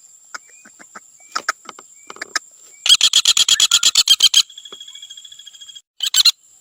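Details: Common flameback (Dinopium javanense) giving a fast, dry rattle of about seventeen sharp notes over a second and a half, then a softer trailing rattle and a brief final burst, after scattered clicks. A steady high whine runs throughout.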